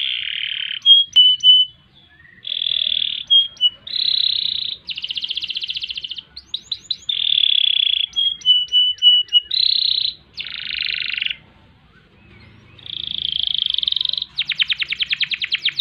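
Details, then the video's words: Canary singing in separated phrases, intended for bird tutoring: short buzzy trills alternate with quick clicking notes and brief whistles, broken by short pauses, ending in a fast rattling trill. "Kenari Gacor Panjang Ngerek Ngerol Nembak Mantap Buat Masteran dan Pancingan | Bird Singing"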